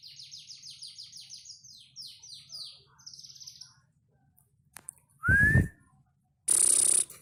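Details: Panda canary song of fast, evenly repeated descending high notes rolling into trills for about three seconds, then a pause followed by two loud abrupt bursts of noise.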